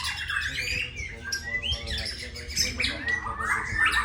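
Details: White-rumped shama of the Borneo form called Undas, singing in the konslit style: a dense, rapid jumble of harsh squawks, buzzy notes and short whistles with constant low background hum.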